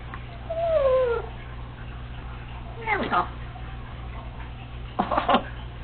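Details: A pet female Congo African Grey Parrot is alone indoors, practising household sounds and copied bird calls. She gives a clear, slurred whistle that falls in pitch, then two bursts of quick chirpy, crackling notes a couple of seconds apart.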